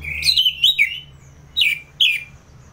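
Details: Brief ngeplong song of an orange-headed thrush, North Bali, used as a trigger for fighter birds: a bright slurred whistling run followed by two short falling notes, with faint low hum beneath.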